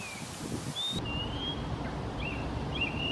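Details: Oriental magpie-robin singing in Singapore, an accomplished singer with its own unique tune: a few thin whistled notes, some long and level, others short and rising, over steady low background rumble and rustling.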